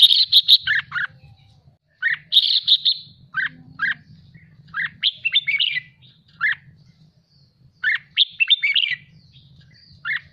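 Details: Caged red-whiskered bulbul in training, excited and singing in the chattering 'ché' style: short whistled and slurred notes in quick bursts with pauses, harsher buzzy bursts mixed in, and a faint low rumble underneath.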